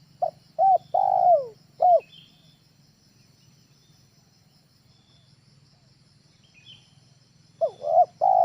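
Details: Trained spotted dove, tekukur ajaran, used as a lure at home: a phrase of two short clipped coos and a longer drawn-out coo, then a long silence before the next phrase starts. Steady faint high hiss underneath.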